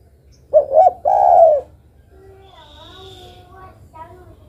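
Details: Female spotted dove calling for the male: two quick coos and a long sustained croon, followed by faint, thin, wavering chirps from another bird.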